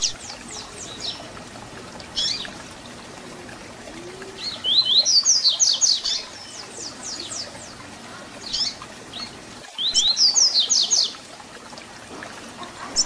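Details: Papa-capim, or double-collared seedeater, giving its fibra-style Tui Tui Zel Zel song for training young birds. Bursts of quick, high, slurred whistles are repeated several times, with single chirps between phrases.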